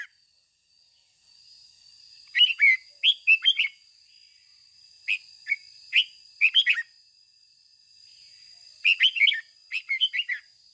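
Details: Decoy red-whiskered bulbul giving 'ché'-style song for training other bulbuls: about seven short, clear warbled phrases of rising and dipping whistles, spaced irregularly over the recording, with a faint steady high tone behind them.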